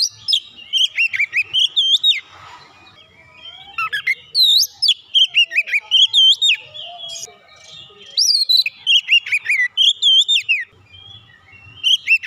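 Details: Provoked Oriental magpie-robin (kacer) singing heatedly, showing its isian: long runs of loud, varied whistles, each phrase a quick series of bright, swooping notes, broken by brief pauses and soft chatter.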